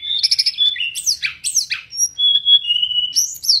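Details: Mangrove blue flycatcher song outdoors: opens with rapid ticking trills, then steep descending slurred whistles, followed by a long steady whistle sliding slightly lower before a closing twisted flourish, clear and unaccompanied.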